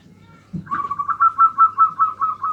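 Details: Local zebra dove giving its nutut-style song, meant to provoke rival birds: a rapid, bubbling string of about ten rounded, whistled coo pulses, steady in pitch and growing louder, after a soft thump at the start.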